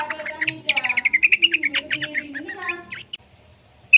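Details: Rapid chattering series of bright, wavering notes from a juvenile yellow-vented bulbul, used as a lure to make other bulbuls sing, slowing near the end before a final sharp chirp, over a faint lower hum.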